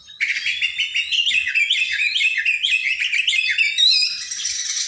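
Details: Kept oriental magpie-robin in full, lively song: a rapid run of high, varied whistled and chattering notes with repeated rising and falling slurs, continuous and loud throughout.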